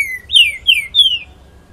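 Green-winged Saltator singing a quick run of four clear whistled notes, each sliding downward, delivered in under two seconds against a faint low background hum.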